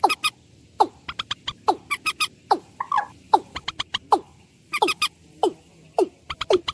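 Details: Watercock repeating hollow, downward-swooping notes about every 0.8 seconds in a long series, with crisp, high clicking taps scattered throughout.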